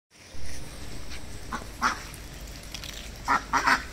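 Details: Hand-raised domestic ducks, reared from eggs, give a few short, nasal quacks, one alone and then a quick cluster of three near the end, over a low steady rumble.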